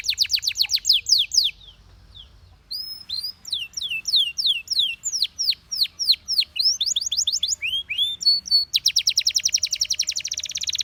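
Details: Belgian canary singing: tours of rapid downslurred notes, a short pause, then chains of sweeping whistles ending in a fast, buzzy, steady trill.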